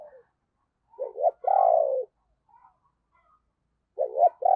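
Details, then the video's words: Spotted dove decoy bird with a deep 'thunder' voice, used to lure wild doves: two short rolling notes, then a long low descending coo. The pattern starts again after a pause of about two seconds, in a quiet setting. "Tiếng Chim Cu Gáy Giọng Sấm Bầu Gáy Hay - Chim Cu Mồi"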